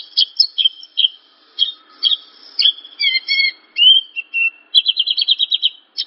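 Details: Javan bush lark song: scattered high chirps, then clear whistled notes stepping downward, ending in a fast rattling trill. It serves as a recording to make other larks start singing.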